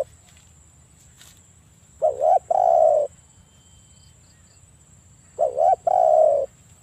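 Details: A spotted dove in full voice gives two low, mellow cooing phrases about three seconds apart, each a quick doubled note then a drawn-out coo, with a faint steady high hum underneath; the call is meant to lure other doves into answering.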